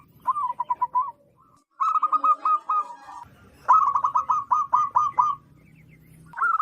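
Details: Zebra dove of local stock, loud and suited to luring wild doves, giving several rippling phrases of quick coo notes, the longest about nine notes, over a faint low hum.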